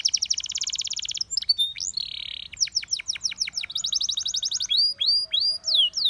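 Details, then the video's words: Russian singing canary song meant to draw other canaries: a rapid high trill, a brief buzzy tone, a run of downward-sweeping whistles, then fast chattering rolls and looping slurred notes. "A Special Canary to Seduce All The Canaries - The Russian Singing Canary"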